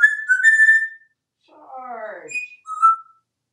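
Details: Pet male African grey parrot, hatched in 1997 and kept in a home in Texas, gives clear whistled notes, a rising slur, then a throaty descending warble and a short whistle, indoors.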